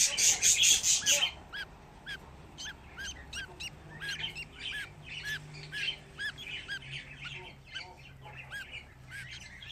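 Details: Fifteen budgerigar chicks gathered in one place: a loud rustling burst opens, then many short, high, arched chirps follow in quick overlapping succession from several young birds, about two each second.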